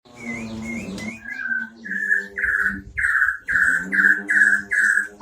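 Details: White-rumped shama singing a unique isian (fill) song: a series of loud, slurred whistled phrases near the same pitch, repeated roughly every half second, over a steady low droning hum.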